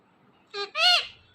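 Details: Domestic ringneck parrot repeats a learned word in two syllables, the first short and buzzy, the second louder, longer and richly harmonic, fading out smoothly.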